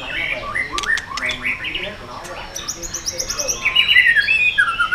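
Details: White-rumped shama singing in the 'yến reo' style, used to provoke other birds: a jumble of short chirps and whistles, then higher sweeping notes and bright descending whistled phrases toward the end.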